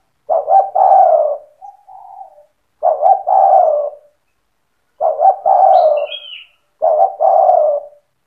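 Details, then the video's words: Spotted dove, a vigorous singer used to excite other doves into calling, repeats its husky phrase four times about every two seconds, each two quick coos then a drawn-out falling coo; a short high chirp from another bird. "Suara burung tekukur gacor cetretan bikin deruk tekukur derkuku balam lain emosi ikut bunyi"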